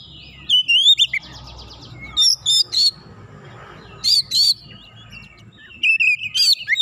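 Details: White-rumped shama stirred up by a rival bird, singing in separate bursts: bright whistled slurs and a quick rattling trill, each burst followed by about a second of quiet with faint background hum.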